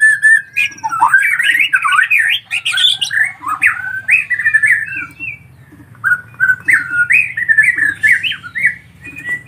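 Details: Collared kingfisher chicks beg with squeaky, chattering notes that rise and fall in quick bursts, over a low hum.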